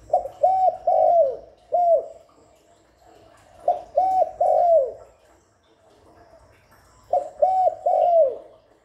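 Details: Continuous spotted dove calling without background noise, meant to lure and stimulate doves: four phrases, each of two short coos and a longer falling one, repeated roughly every two to three seconds.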